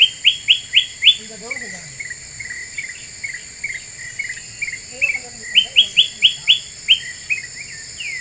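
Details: Very vocal black-capped bulbul in a lure recording meant to agitate other birds: bright upslurred whistled notes in quick runs of five, with softer lower chirps between, over steady high insect-like whine.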